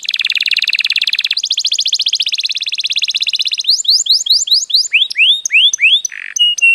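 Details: Canary song meant to prompt other birds into singing: fast buzzy rolling trills at a steady pace, shifting into rising swept whistles and short chips toward the end, loud and clear.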